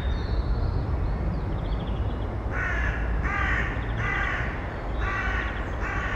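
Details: Eurasian eagle-owl female with nestlings in a nest box, filmed in early May, giving harsh, hoarse rasping calls, repeated roughly once a second, over a steady low rumble of constant background noise.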